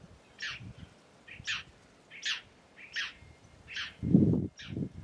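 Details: Red-necked tanager of the Caatinga, locally Maria Preta, sings paired high clipped notes about once a second; a loud low thud breaks in near the end.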